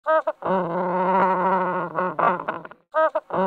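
A chinstrap penguin gives a short honk, then a long, throaty, braying call that breaks into harsh stuttering pulses, ending with two more brief honks.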